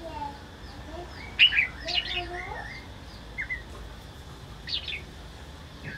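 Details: Laughingthrush song from a forest-and-mountain bird: scattered clear whistled notes and slurred rising phrases, with sharp bright accents near the middle and a short high flourish toward the end, over soft background hiss.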